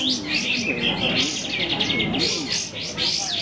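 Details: Chorus of competing sooty-headed bulbuls at a singing competition, with rapid repeated chirps and short clear whistled phrases layered over one another, and a faint low background hum.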